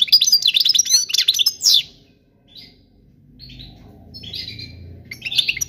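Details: Song of a European goldfinch for teaching young birds, a burst of fast chirping twitter lasting under two seconds, then quiet with a few soft nasal notes and low background hum.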